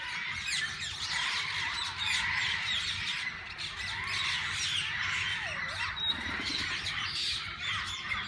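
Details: In a parrot park's walk-in aviary, various parakeets produce a continuous roar of high chatter and scratchy squawks, with one clear descending then rising whistle standing out midway.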